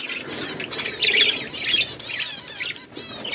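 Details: Hand-tame pet budgerigars chirping: a continuous chatter of bright, warbling chirps and squawky notes, with louder bursts around the middle.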